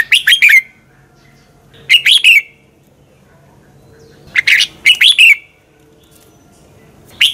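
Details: Red-whiskered bulbul song used as a decoy to train and stimulate other bulbuls for competition singing: short bouncy phrases of three or four loud whistled notes, repeated roughly every two seconds. Another phrase begins right at the end.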